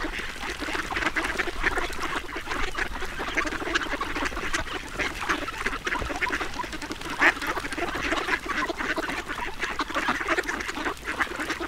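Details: Long, continuous stretch of rapid, gravelly quacking and dabbling chatter from a duck being fed, fairly even in loudness with one sharper note midway.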